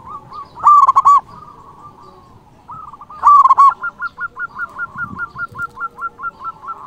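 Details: Local zebra dove singing loudly to call out rivals: two strong bubbling coo phrases, then a long steady string of short, evenly repeated coo notes.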